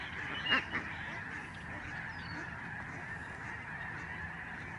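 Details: Lesser Snow Geese in a large migrating flock overhead at George C. Reifel Migratory Bird Sanctuary, Canada, November 2011: a steady, dense chorus of many nasal honks, with one louder, sharper honk standing out near the start.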